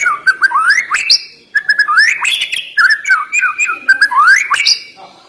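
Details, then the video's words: Captive white-rumped shama (murai batu) song meant to stir up a lazy bird: continuous fluting, warbled phrases wandering up and down with sharp high whistles mixed in. "Ngeri Isian Murai Batu Ini Nembak Tajam Naikan Emosi Burung Malas Bunyi"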